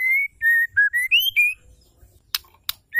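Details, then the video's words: White-rumped shama hen giving her male-stimulating call: a quick phrase of six pure whistles falling then rising, followed by two sharp clicks and the start of another whistle. "MURAI BETINA GACOR PENGUNDANG Emosi murai jantan"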